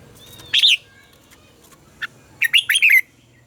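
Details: Red-whiskered bulbul morning song used to train captive bulbuls: a loud warbled phrase near 0.6 s, a lone short note, then a bright three-part whistled phrase after 2.5 s, over a faint low hum.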